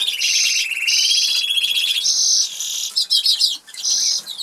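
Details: Two caged Norwich canaries from an aviary in England sing as they feed; a sustained high rolling trill with steady pulsed tours, then a series of bright buzzy high phrases broken by brief gaps.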